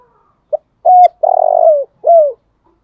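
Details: Morning calling coo of a decoy spotted dove, 'thúc gáy gọi' style: a brief clipped note, then a clear hoot, a drawn-out throaty coo sliding downward, and a final falling coo, all low and mellow against silence.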